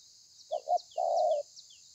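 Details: Spotted dove, wild-caught, thổ pha song recorded 30 November 2020: two clipped coos then one long, slightly descending throaty coo, with faint high chirps over a constant hiss.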